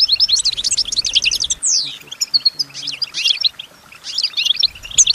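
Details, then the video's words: Caged female European goldfinch singing in response to surrounding sounds: rapid twittering and buzzy trills high in pitch, a clear downslurred whistle near the middle, then more tinkling phrases after a brief pause. "goldfinch healthy and singing"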